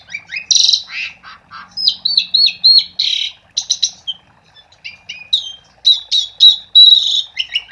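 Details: Asian pied starling singing energetically as a lure for starlings not yet singing; harsh squawks open into a long medley of whistled chirps, buzzy bursts and clipped notes, with short pauses between phrases.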